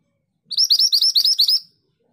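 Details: Scarlet minivet, locally called mantenan gunung, in full rolling song: a tight series of about eight piercing, rising whistled notes, evenly spaced and clearly separated, lasting just over a second in near silence.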